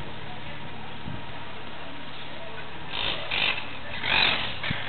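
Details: Monk parakeet (Myiopsitta monachus), recorded 17 July 2008, giving two or three harsh, grating squawks in the last two seconds over a steady background hiss and low rumble.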